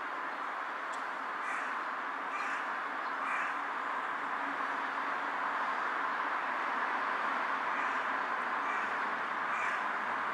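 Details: Perched on an electric wire, a carrion crow bows while calling on an afternoon of 18 July 2023; a run of harsh caws early on and one more near the end, all half-buried in dense steady hiss.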